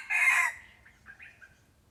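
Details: Red junglefowl lured by a decoy, ending a loud raspy crow that breaks off after half a second, followed by a few faint, short trailing notes in a quiet outdoor setting.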